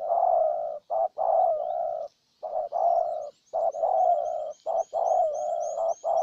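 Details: Decoy spotted dove in Ninh Thuận, Vietnam, luring a wild bird with rapid continuous cooing: back-to-back short-then-long low coos, barely pausing, with faint high twitters of other birds behind.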